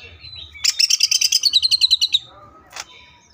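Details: Rapid 'tembakan' burst from a greater green leafbird: roughly fifteen quick, evenly spaced high chattering notes over about a second and a half, ending with a single harsh note after a short gap.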